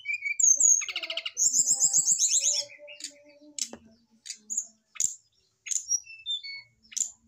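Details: Male brown-chested jungle flycatcher placed beside a female to prompt singing; rich mix of clear whistles, rapid buzzy trills and sharp chirps, followed by spaced, high, slurred notes.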